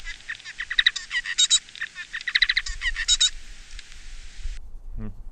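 Bengalese finch song: a rapid, complex run of buzzy, scratchy notes and high chirps lasting about four and a half seconds, with faint room hum beneath.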